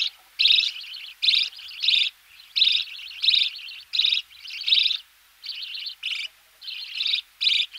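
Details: Budgerigar chicks calling close up while being fed in the nest, with a knocking noise in the background; harsh buzzy chattering bursts repeated in rapid irregular series, roughly six to eight loud bouts with softer calls between.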